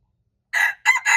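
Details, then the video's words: Red junglefowl on March 2, 2025, giving the clipped opening of a crow: two short harsh notes and the start of the long held note, cut off abruptly, with silence before. "red jungle fowl, qaib qus qaib dib txuam txoov"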